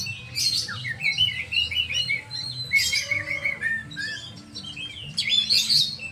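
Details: Oriental magpie-robin kept as a pet bird, singing a varied, rich song of bright whistled and chattering phrases, with bursts of high sharp notes around the first, third and fifth seconds and short pauses between, over a faint low hum.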